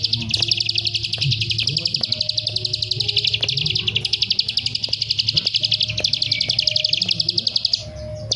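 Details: Bar-winged prinia, local name prenjak sawah, singing a long run of rapid high chipping notes that stops briefly then resumes, over a steady low hum and scattered background clicks.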